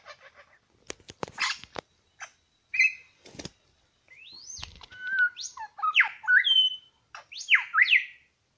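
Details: Superb Lyrebird, one of two males at Lookout Point, New England National Park: sharp clicks and rustling, then varied rising and falling whistled notes and harsh sweeps in quick succession.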